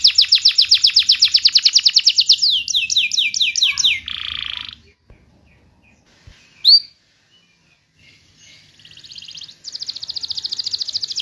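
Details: Canary song used to coax silent canaries into singing: a long rapid trill slowing into descending slurred notes and a buzzy burst, a quiet gap with one sharp whistle, then a soft rolling trill resuming.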